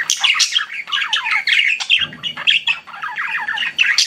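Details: Chirping pet budgerigars deliver rapid warbling phrases of grating chirps and squeaky notes, with a brief low rustle midway through.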